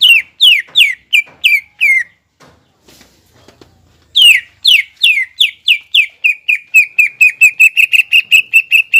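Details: Greater green leafbird singing to incite a rival: bright downslurred whistles repeated quickly, a pause, then a long accelerating string of notes that become shorter and steadier at one pitch.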